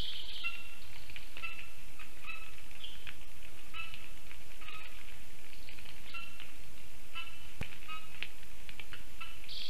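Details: Lesser spotted eagle family heard near a black stork nest in Ogre municipality, Latvia, at 1:19 pm on 19 August 2024, picked up by the nest camera. Short whistled yelps repeat irregularly over a steady hiss.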